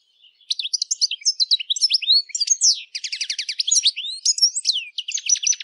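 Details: European goldfinch delivering continuous song, a lively jumble of high twittering notes, quick slurs and a rapid trilled passage, nearly unbroken for five seconds.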